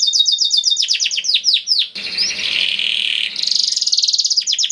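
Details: Canary song meant to coax caged canaries into singing: a quick chain of descending notes, then a harsh rasping buzz, finishing with a fast, even rattle-like trill.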